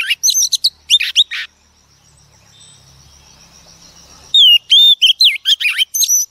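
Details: Oriental magpie-robin female, taken from the wild, singing to provoke males: bursts of loud whistles and rough chirps, a quiet gap of nearly three seconds, then a fresh run of pure sliding whistles and chatter.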